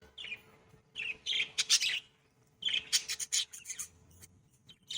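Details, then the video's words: Pet budgerigars during courtship and mating, giving bursts of scratchy, high chattering and squawky notes in two main clusters separated by short quiet gaps. "Passionate Budgies: The Mesmerizing World of Budgie Mating Revealed!"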